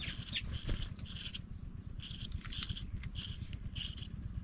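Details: As fledgling pipits go out of the nest, three loud, drawn-out rasping notes come in quick succession, followed by softer, shorter scratchy chirps spaced about half a second apart. A low rumble runs underneath.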